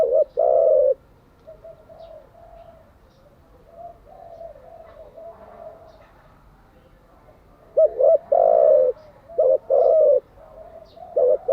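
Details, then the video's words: Spotted dove cooing for daily training of decoy birds: one loud phrase, a stretch of soft distant coos, then loud short notes and a long coo repeated near the end. "Tiếng chim cu gáy mới nhất, dùng luyện chim gáy bổi và mồi hàng ngày"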